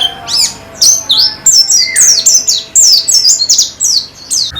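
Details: White-eye (pleci) therapy song: quick, high, descending chirps grouped in bursts, with a lower sliding whistle partway through, energetic and chattering.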